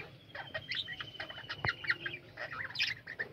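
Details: Colony of captive budgerigars, which call most in the morning, chattering together: overlapping warbled, squeaky chirps and trills with a thin steady whistle running underneath, plus a soft wing flutter and a low thump.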